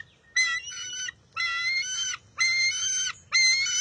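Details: Bald eagle eaglet in the wild at the nest, June 23, 2021, squabbling with its mother for a fish; four loud, strained, high squeals with rich harmonics, each lasting under a second, spaced about one second apart.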